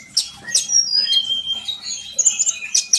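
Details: Brief sunbird song, played to prompt trainee birds to sing. It has sharp high chips, a long thin whistle sliding down, and scratchy squeaks, ending in a few clipped notes.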